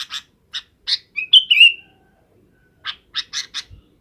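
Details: Sooty-headed bulbul in the afternoon, calling companions to roost: scratchy chirps, then a short rising-and-falling whistled phrase, a pause, and another quick series of rough chirps.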